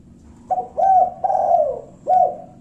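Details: Spotted dove lure call meant to provoke rivals into answering: a short low coo, a longer drawn-out coo with a falling end, then a final short coo, soft and hollow, in a quiet room.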